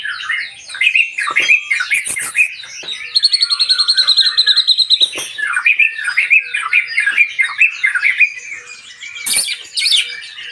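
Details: White-rumped shama, probably caged, singing a rich, varied run of whistles, chirps and trills; a rapid rattling series in the middle; high-pitched and continuous throughout.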